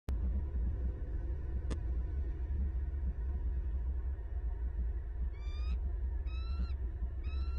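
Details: Wild male bald eagle bringing a fish to his mate at the nest, southwest Florida, 10 December 2021, from a nest camera: three short bursts of thin, high chittering notes near the end, over a constant loud low rumble.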